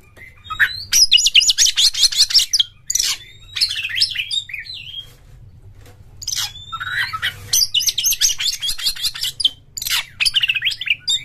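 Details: Oriental magpie-robin singing hard with its tail spread, a lure song to stimulate other magpie-robins: long runs of rapid harsh chattering and twisting whistles, broken by short gaps and a quieter middle stretch, with a steady low background hum.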